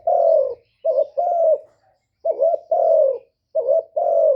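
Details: Spotted dove call used to lure wild doves: seven low, hollow cooing notes in short-then-long pairs, each pair separated by brief pauses, clean with no other sounds.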